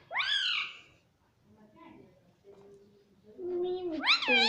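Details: Pet Indian ringneck parakeet, a talking parrot, indoors: loud, harsh, high rising-and-falling calls open and close the clip, with a quieter, lower voice-like murmur in between.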